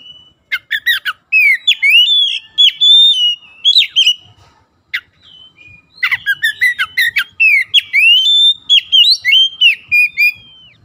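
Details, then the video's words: White-rumped shama in full song to stimulate quiet birds, long bursts of mixed clear whistles and harsh chattering notes delivered quickly, broken by one brief lull. "PANCINGAN KACER LELET BISU | PASTI AKAN IKUT GACOR NGEPLONG GACOR"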